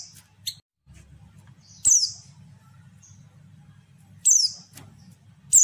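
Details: Female white-eye calling to lure males: a few loud high descending chirps spaced well apart with faint thin notes between, over a low continuous hum.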